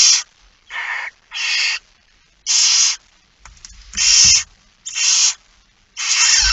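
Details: Barn owl chicks begging at a feeding at 06:57 on 13 September 2019, in the Netherlands: harsh broadband hissing screeches about half a second long, repeated in a loose series with short gaps, plus faint low thumps.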